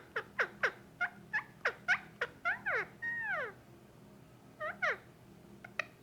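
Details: A male Indian ringneck parakeet, about a year and a half old, makes noises while being petted; the owner wonders if this is normal. He gives quick, short, nasal, downward-sliding chirps in uneven bursts, one longer falling whistle midway, over a faint hum.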